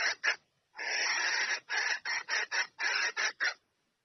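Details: A red junglefowl hen calls to draw a rooster in for mating. Two short rasping clucks come first, then a long harsh note, then a string of evenly spaced scratchy cackles.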